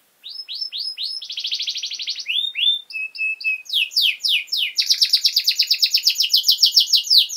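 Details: Canary song for training young birds: evenly spaced rising chips, a fast rolling trill, pure whistled notes, then loud descending sweeps leading into a long bright rapid trill.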